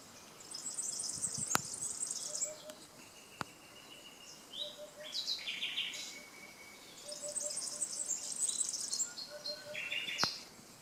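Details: Nightingales singing by the Canal du Midi near Le Somail, Languedoc, France: varied phrases of high buzzy rattles, quick chirps and short low piping notes in two bursts with a pause, over faint hiss and a few sharp clicks.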